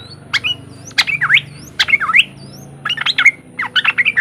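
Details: Sooty-headed bulbul singing riwik phrases to stimulate other untrained bulbuls to join in: short clusters of three to four quick, sliding chirps separated by brief pauses, over a low steady hum.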